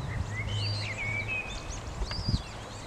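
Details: Eurasian coots with their young, Alphen aan den Rijn, 19 April 2017: clear, high, piping whistles, several slurred up and down in quick succession, over a low steady drone and a brief knock near the end.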